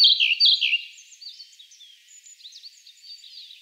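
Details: Siberian blue robin singing: a burst of three or four loud, slurred, high chirping notes in the first second, then a softer, rapid, high-pitched twittering run of quick notes until the end. No other sounds stand out.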